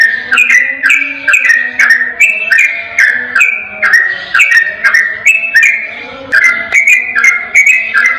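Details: Yellow-vented bulbul (trucukan) song, used as a long, clear, unbroken lure to make another bulbul sing back: a bubbly, warbled phrase repeated about every three-quarters of a second, with sharp ticking clicks throughout.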